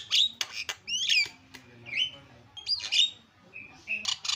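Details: Javan myna mixing clear whistled notes with short harsh squawks in uneven bursts of about one per second, with soft background hum.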